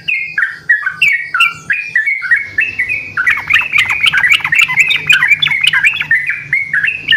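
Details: Yellow-vented bulbuls calling to each other in lively song: spaced whistled notes falling in pitch at first, then a busy tangle of overlapping chirps, squawks and quick notes from several birds.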